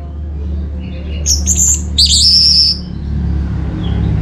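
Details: Orange-headed thrush singing a brief lure song. A short high whistled phrase gives way to a sustained, slightly wavering high note, with a low background hum throughout.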